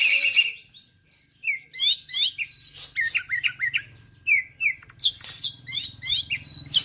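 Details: Singing oriental magpie-robin from Aceh, Indonesia, with an inventive string of bright whistles, quick up-and-down slurs, twittering bursts and sudden sharp clicks, phrases varied and rapid against an otherwise quiet background.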